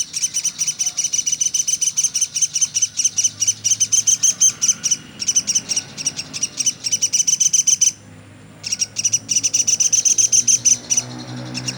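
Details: Velvet-fronted nuthatch, known locally as pelatuk sampit, calling nonstop as a tutor recording for songbirds: long runs of sharp, high chipping notes about four per second, broken by short pauses, with a faint low hum beneath.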